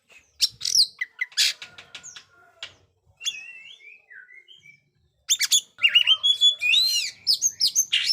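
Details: Kacer (Oriental magpie-robin) in full song to test silent young birds: scattered clicks and short whistles, a brief pause, then a dense, rapid run of rich whistles and trills in the last three seconds.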